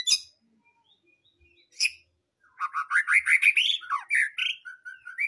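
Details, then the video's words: White-rumped shama in full song: a couple of isolated sharp chirps, then a rapid varied run of rich warbled notes sliding up and down, with fast stuttered elements and a final whistled phrase. "BURUNG MURAI BATU FULL ISIAN"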